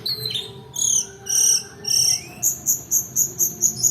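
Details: Long-tailed shrike song for luring silent birds and tutoring: high, clear, drawn-out tonal notes, then a quick series of short, evenly spaced piping notes, about two per second, over faint hum.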